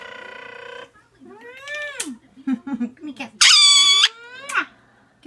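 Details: A 7-month-old male green pied Indian Ringneck parakeet plays, giving a buzzy nasal note, squeaky chirps and a loud, harsh screech, while a person speaks softly in between.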